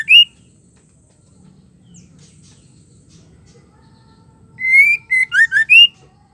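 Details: Caged female white-rumped shama singing to provoke rival males: a brief upward whistle, a long near-silent gap with faint hum, then a phrase of a rising whistle followed by four quick looping whistled notes.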